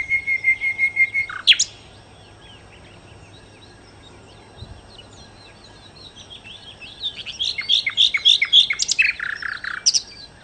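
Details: Sikatan londo, or nightingale, singing: a run of repeated whistled notes ends in a sharp high flourish, then a long quiet pause, then a lively burst of chips, sweeps and rapid trills.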